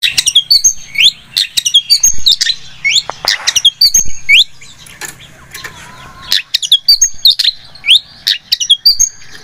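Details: Long-tailed shrike (cendet) in vigorous song used as a lure: quick, varied chips and rising whistles in rapid clusters, with a faint low hum throughout.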